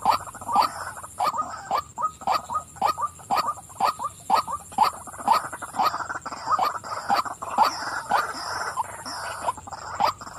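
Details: Steady croaking from a female white-breasted waterhen: rough 'wak-wak' notes, about two each second for ten seconds, slightly uneven in loudness, with a faint electronic whine.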